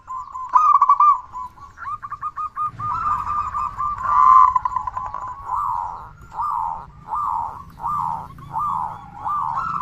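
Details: Zebra dove lure for setting off other doves' calling: rolling trilled coos, then a run of evenly spaced, drooping coo notes about every half second over a low background rumble.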